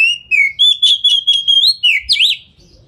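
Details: Lure song of an Oriental magpie-robin, fast and tightly packed, sung while spreading its tail to draw replies from other magpie-robins; a run of clear whistled notes on one pitch, repeated several times a second, ending in sharp swooping zigzags.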